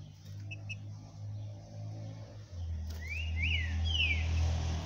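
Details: Green-winged saltator singing on 9 April 2022: faint paired notes come first, then loud, clear whistled phrases that slide down and up, over a steady low hum.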